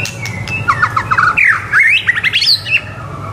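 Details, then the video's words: Actively singing white-rumped shama, played as tutor song for young shamas to copy: a fast, varied outpouring of short rising and falling notes, rough trills and rapid chatter, building to higher-pitched sweeps, over low hum. "MURAI BATU GACOR COCOK BUAT MASTERAN MURAI BATU MUDA AGAR CEPAT IKUT GACOR DAN MONCER"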